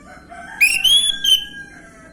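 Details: Orange-headed thrush, 'gamblingan' lure sound: a single short bright whistle that climbs, holds a level ringing tone, then ends in a clipped note, with a faint lower tone in the background.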